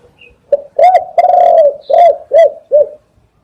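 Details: Spotted dove calling for a dove-catching lure: a quick pickup note, a strong coo, a long resonant rolling croo, then three shorter falling coos evenly spaced, ending in silence.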